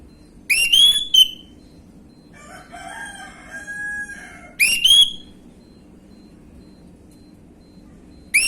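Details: Orange-headed thrush 'gamblingan' lure song: bright whistled bursts a few seconds apart, with a softer, lower, drawn-out tonal sound between them.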